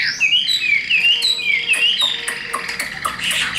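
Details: Chinese hwamei, a tame hand-carried cage bird, young and recently acquired, not yet fully in form, sings a string of short, sweet, upward-flicking whistles repeated in quick succession, with some faint clicks behind.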